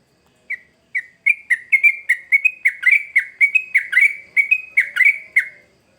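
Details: Sooty-headed bulbul, song used as a lure to train young birds; a loud, regular series of short, slurred whistled notes, about fifteen in six seconds, each dipping then rising, quickening as it goes, with a clean quiet background.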